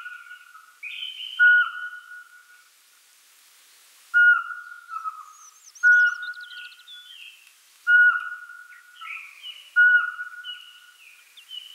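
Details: Owls giving steady whistled hoots, five clear notes spaced about two seconds apart after a short pause, with a trilling warble and scattered chirps from other birds behind.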